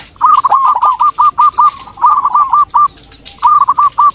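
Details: Local zebra dove (perkutut lokal) used as a lure to make other doves answer: a rapid stuttering series of soft, mellow coos, about eight notes in a quick burst, a short pause, then another burst; faint background chatter.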